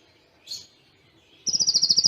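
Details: ['Kolibri Ninja training song in Cililin imitation style; after a faint scratchy note and a pause comes a rapid, evenly pulsed high trill.']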